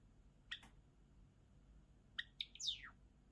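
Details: Java sparrow: a pair of soft clicks, a pause, then a brisk run of ticking notes ending in one bright note that slides steeply downward.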